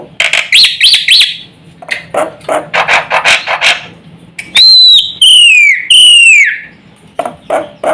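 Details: Black-winged myna in vigorous song meant to set other mynas calling: quick chirps and harsh chattering notes, then three loud, clear, drawn-out whistles that slide downward, followed by more rough chatter.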